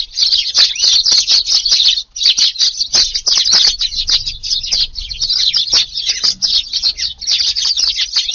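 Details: Eurasian tree sparrows feeding in a garden at dawn around 5:30 during rainy weather on 2 August in Japan; dense, unbroken high chirping with a short gap near two seconds.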